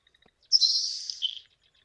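Nelson's Sparrow: a few faint ticks, then one high, hissing sizzle lasting about a second, like bacon hitting a hot pan, ending in a lower buzzy note.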